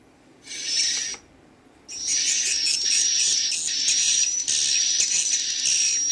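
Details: Young swiftlets calling amid adult swiftlet voices, the chicks' sound described as 'ci ci ci cu cu cut': a short burst of dense, high, rapid chirping, a pause, then continuous shrill twittering over a steady thin high tone.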